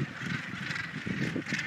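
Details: At the Bonaventure Island gannet colony in Quebec, said to be the world's largest with about 60,000 pairs, Northern Gannets make a dense, continuous din of harsh, grating overlapping calls with deeper rasping notes underneath.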